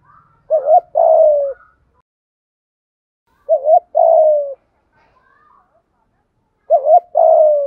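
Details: Spotted dove acting as a decoy, urging wild doves closer with the 'gáy gọi một hậu' call; three phrases about three seconds apart, each a short wavering two-part note then a drawn-out falling coo, with faint whistled notes in the gaps.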